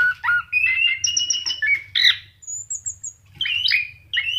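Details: Orange-headed thrush delivering a varied song meant to coax pet birds into singing: warbled rising and falling whistles, a thin high trill midway, harsh buzzy notes near the end, over a constant low background hum.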